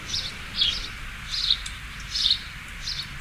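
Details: Sparrow chirping: short bright chirp bursts repeated roughly every three-quarters of a second, with a low steady rumble of background noise underneath.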